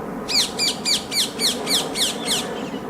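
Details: Ring-necked parakeets (Psittacula krameri), feral birds filling a tree by the River Thames in West London on an autumn evening at low tide; one gives eight harsh, screechy squawks in a rapid even series, about three per second, over a faint low rumble.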